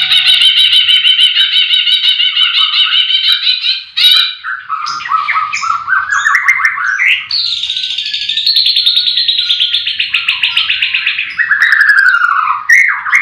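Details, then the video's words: White-rumped shama song recorded at a livestock pen in the morning among many singing birds: a long, even rattling trill, then descending whistled notes and another sustained high trill that slides downward. "Pancingan murai batu di kandang ternak ll chirping magpie"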